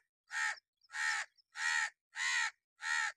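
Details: Five loud, strident caws in a regular rhythm, about two per second, from a crow in an angry mood giving its alarm or warning call.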